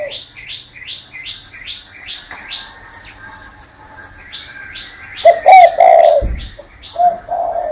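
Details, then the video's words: Perched on a hand, a spotted dove delivers loud, hollow coos near the end, after a run of quick, evenly repeated high chirps from another bird that dominates the first half. "CHIM CU Đậu trên tay vẫn gáy"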